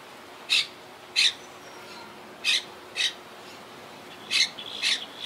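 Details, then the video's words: Wild Quaker parakeets from a colony living high in trees, regrouping after losses to hurricane Irma in 2017; six harsh, broadband screeches spaced roughly half a second to a second apart, with quiet background between. "Yacht Club Colony Retrospective🌴 Clips and Sounds 🦜"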